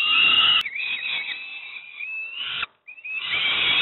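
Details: Peregrine falcon nestlings at Moszna, Pruszków, Poland beg during a breakfast feeding with a loud, rasping scream that runs unbroken, fades slightly, stops for a moment, then resumes strongly.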